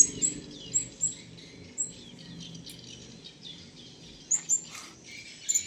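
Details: Wild blue-crowned hanging parrot drawing near, calling with scattered short, high squeaky whistles, singly and in pairs, amid a hissing insect background and other faint chirps.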